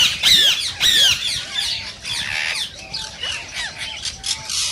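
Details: Rose-ringed parakeet calls, said to encourage singing and mating in parakeets that hear them: two loud, shrill descending screeches open a run of quieter chattering squawks, with thin lower whistled notes threaded underneath.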